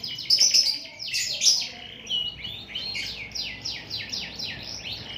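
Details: Lively canary song opening with sharp high chips, then flowing into a fast series of repeated downward-sweeping notes forming a continuous rippling trill.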